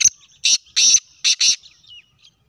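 Black francolin giving its harsh, grating call: a short click, then four loud rasping notes in two quick pairs over about a second and a half.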